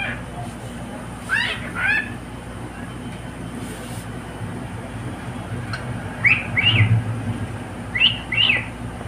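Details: Pet cockatiel singing with a companion: short, rising-then-falling chirped whistles in pairs, separated by long pauses, over steady low rumbling background noise.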